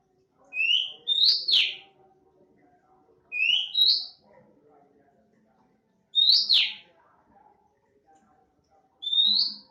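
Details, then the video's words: Oriental magpie-robin, an untrained 'bahan' bird that has begun singing often, delivers paired whistled notes ending in a sharp downward buzzy slur, phrases repeated roughly every three seconds, 'nembak' style. "KACER NEMBAK SUARA ASLI ALAM"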